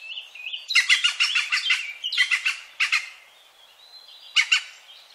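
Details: European green woodpecker near Wittlich in 2017 gives harsh, rapid, chattering notes in several short bursts after a faint thin whistle at the start, with nothing else prominent.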